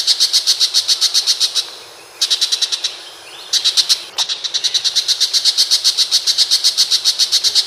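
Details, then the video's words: Long-tailed shrike from Indonesia gives fast, harsh, evenly spaced pulsed notes in bursts, broken by two brief pauses, then a long steady run to the end. "Burung unik bersuara pedes !!! Pentet Macan"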